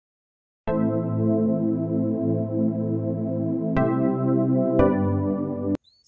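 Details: Only keyboard music, three sustained electronic organ or synth chords, with no animal voice.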